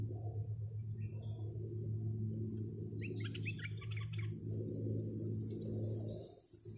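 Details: Decoy bulbul kept to attract wild birds, delivering one dense burst of jumbled chirpy whistled notes lasting about a second, set against a constant low droning hum and faint high hiss.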